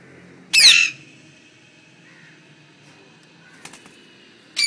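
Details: Pet parrot kept at home gives one loud, harsh, high squawk, followed by a long quiet stretch, a couple of faint clicks and the start of another squawk at the end.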